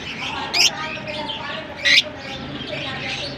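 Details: Singing lovebirds from Larkana: two strident, high squeaky calls over a second apart rise above a constant murmur of twittering birds.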